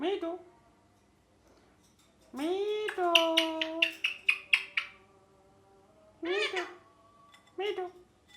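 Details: Pet green ringneck parrot in a small room, known for saying 'mithu', giving a low quick note, then a long rising nasal call with rapid clipped syllables, followed by two separate chirped calls.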